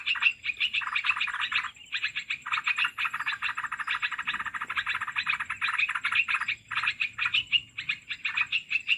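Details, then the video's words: Olive-winged bulbul call for luring birds into traps: a long run of dense, scratchy chattering bursts, broken by a few short gaps around two and seven seconds. "SUARA MIKAT BURUNG MERBAH BELUKAR"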